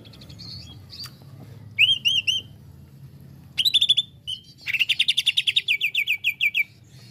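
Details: Greater green leafbird (Chloropsis sonnerati) in an excited, fast burst of song used to provoke rival leafbirds: a few clear slurred whistles, then a fast run of about fifteen bright repeated notes, over a faint low hum.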